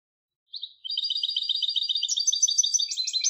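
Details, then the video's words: A European goldfinch hybrid sings after a brief pause. Its chattering, twittering phrases grow higher and more varied toward the end, delivered quickly and without background noise. "تغريد هجين الحسون Canto De Mixto del Jilguero"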